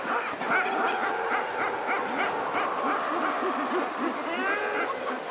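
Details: Razorbill takes off from a ledge, then gives soft, drawn-out, grating growls and 'cloc' calls that overlap in a steady colony chorus, with other seabirds calling throughout.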